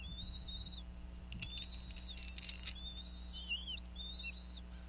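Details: Northeast Florida bald eagle family at the nest in January: the female vocalizes over a fish during feeding, giving high, thin whistles with a twittering, downward-slurred run, plus a few soft knocks and a low hum.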